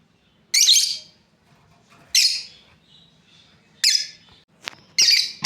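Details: Breeding pair of lovebirds: single loud, rasping chirps spaced well over a second apart, with a faint click between the last two.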